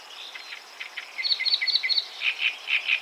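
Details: Great reed warbler singing in brief, chattering phrases: a run of quick paired notes, then slower repeated double notes, harsh and rhythmic, over faint steady background hiss.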